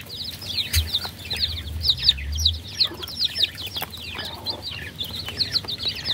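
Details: Young chicks keep up a busy chorus of sharp, high-pitched peeps, each a quick downward chirp. Soft low thumps and light tapping sit in the background.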